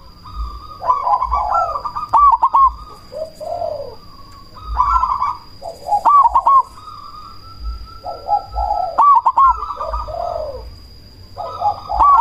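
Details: Cemani perkutut, a zebra dove variety, cooing loudly to goad other doves to reply and stir breeding urge; bubbling rolled coo phrases recur about every three seconds, with a constant high-pitched whine behind.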